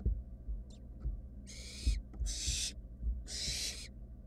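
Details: Wild barn owl chicks in a research nest box, siblings still looking for a swallowed mouse: faint short hisses, then three loud, broad screeches of about half a second, with low bumping sounds.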